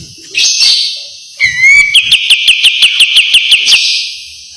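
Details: Kapas tembak white-eye master song, sharp tight besetan style: a high buzzy whistled note, then a rising slurred whistle into a fast string of about twelve piercing chips over a sustained high tone.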